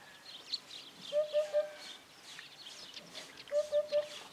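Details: Eurasian hoopoe (Upupa epops), call.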